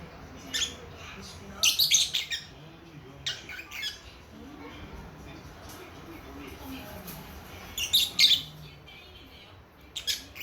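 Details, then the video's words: Young lovebird chicks a few months old chattering to each other indoors: scattered harsh, high chirps and squawks in short bursts, with quiet gaps between them. "애기애기 모란앵무 노랫소리 새소리 대화~♡ lovebird Parrots singing chirping sounds"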